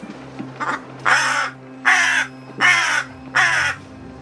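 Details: Very young rescued crow with a cat-damaged throat giving its first sounds indoors: four harsh, hoarse caws spaced roughly every 0.8 seconds, preceded by a couple of faint softer notes.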